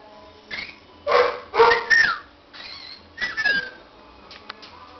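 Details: Baby cockatiels call in a busy run of harsh raspy bursts mixed with thin whistled squeaks that slide up and down, about five calls over a few seconds.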